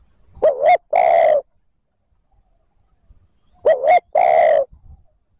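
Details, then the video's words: Spotted dove giving its driving coo to lure wild birds into calling back: two loud phrases, each a quick wavering double note then a long hoarse hoot, about three seconds apart, with silence between. "TIẾNG CHIM CU GÁY THÚC GÙ KÍCH BỔI NHANH NỔI CỰC SUNG, MỒI NGHE LÀ GÁY"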